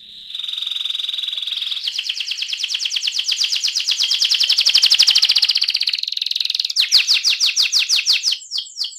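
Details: An AF canary rolls through a long, steady buzzy trill lasting several seconds. It steps up in pitch, holds a fast even pulse, and ends in louder, spaced, downslurred chirps.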